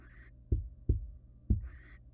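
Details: Wild barn owl stamping in its nest box: three dull thuds between harsh, breathy screeches at the start and end.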